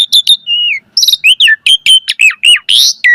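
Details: Asian pied starling giving lively gacor song with varied filler: sharp high chirps, a level falling whistle, then a steady series of short slurred notes roughly every quarter second ending in a harsh buzzy burst.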